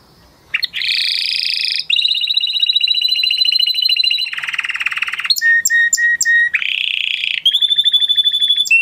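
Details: A male canary sings a varied series of tours: a rising buzz, a long bright rolling trill, a lower churring roll, clipped whistles, and a high metallic trill at the end.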